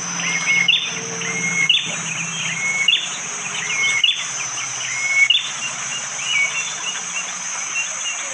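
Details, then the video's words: Forest at Wonocoyo Village, East Java, Indonesia, on a rainy morning, captured by phone: a bar-winged prinia delivers quick bright chirping phrases about once a second, hard and sharp in tone, with a persistent shrill insect background. "Tembakan burung prenjak jali!!"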